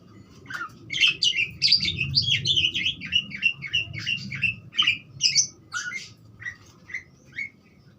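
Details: Budgerigar giving a busy, chattering warble of rapid squeaky and buzzy notes, then slowing into separate chirps spaced about half a second apart. A steady low hum is in the background.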